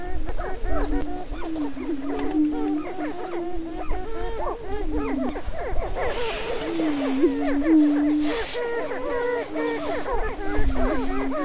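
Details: Greater prairie-chickens displaying on a spring lek in northwest Minnesota, late April 2013: a dense chorus of low droning booms and quick, bubbling cackles that overlap steadily for over ten seconds, with light wind.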